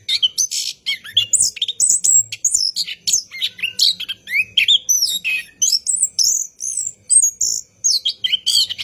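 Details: Orange-headed thrush kept as a cage bird, singing at night in a long rolling style used as a lure to set other thrushes singing: a fast, unbroken stream of high, varied whistles, trills and sharp chirps with hardly a pause.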